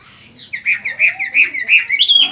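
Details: Short burst of Chinese hwamei song: rapid, bright, slurred whistles tumbling one after another and rising in loudness, ending on a higher ringing note.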